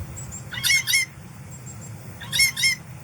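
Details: Blue Jay giving harsh, grating double squawks, two pairs about two seconds apart, a false alarm call meant to fake a predator's presence and fool a chickadee, with faint high thin whistles from another bird between.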